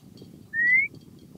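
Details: A White monjita (Xolmis irupero) gives a single clean whistle, slightly rising and about a third of a second long, over a low background rumble.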